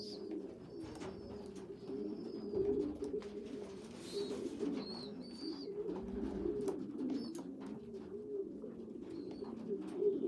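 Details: Young pigeons, a small weak one feeding stronger youngsters; dense low rumbling coos under repeated faint high thin squeals and light clicking.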